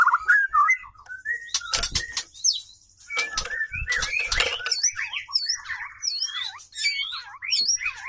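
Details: Singing female white-rumped shama, during courtship when the male woos the female: quick chains of short whistled notes, rising and falling slurs, broken by loud clattering bursts.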